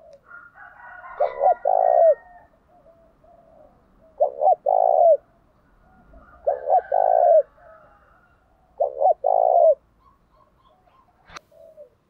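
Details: Spotted dove delivering a fight-provoking song. Four coo phrases come at irregular intervals of roughly two to four seconds. Each is a clipped double note then a drawn-out mellow coo, and a sharp click sounds near the end.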